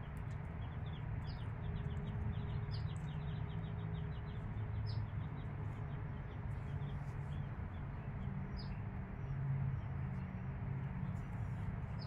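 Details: Five-day-old chicks with their mother hen: a rapid stream of thin, high, downward-sliding peeps repeated throughout, some louder chirps standing out every second or two, over a steady low hum.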